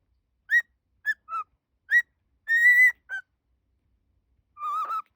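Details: A cockatiel whistles a learned melody, possibly from My Neighbor Totoro, in clear, pure notes, some short and some drawn out.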